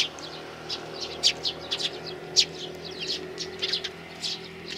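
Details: Three sparrow nestlings, 12 May 2019, giving bursts of high, thin chirps in irregular clusters, two louder sharp cheeps standing out, over a faint low hum.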